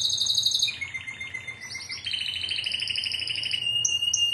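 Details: Timbrado canary of a Greek club team, 2009, giving a high trill that drops to a lower sustained roll, then rises into layered fast rolls and ends with short separated whistles.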